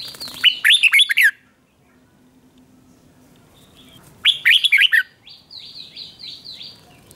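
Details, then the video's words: Competitive red-whiskered bulbul song for training young birds: two fast phrases of rolling, warbled whistles, each under a second, separated by a quiet pause, followed by a string of short repeated downslurred chips. "Chào Mào Kích Bổi Nhanh Ra Giọng | Kích Chào Mào Hót Đấu. Chào Mào Kích Trống Hót Căng Lửa."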